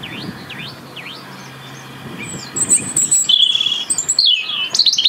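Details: European robin singing in the UK, a song kept up year-round to hold winter territory: a run of repeated V-shaped whistled notes, then a pause, then high, thin, varied warbling phrases with sharp sweeps and trills.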